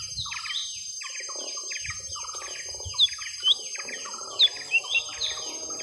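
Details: Young lesser green leafbird during a long rival fight: a steady run of quick paired chips and hooked whistles, a few brighter notes rising above the rest, over soft background rumble.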